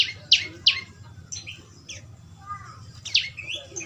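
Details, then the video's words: A young prinia gives two loud squeaky chirps, then quieter scattered notes and a final strong chirp, in a natural recording played as training audio to get a bird singing; low steady hum behind. "Burung prenjak lumut suara asli alam"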